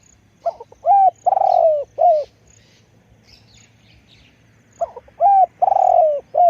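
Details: Spotted dove kept as a decoy repeats its husky phrase twice, stuttered intro, arched coo, long rolling croo and falling last note, with a steady low hum underneath.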